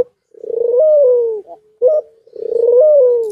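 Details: White dove in breeding condition, bobbing its head: two long, low coos that swell, briefly rise and then fall away, separated by a short, clipped note, in a quiet room.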